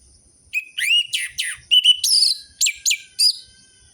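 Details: Lure song of an orange-headed thrush for captive birds that have gone quiet: a mix of clear rising and falling whistles and slurred chirps, with some notes stretched longer and others clipped short, in uneven phrases.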